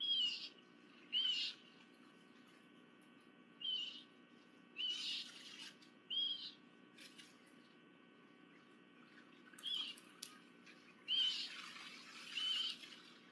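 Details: Wild bald eagle at a nest in Miami-Dade County, Florida, recorded 28 July 2023: thin high whistled chirps in short bursts, roughly every one to two seconds, with gaps of steady background hiss.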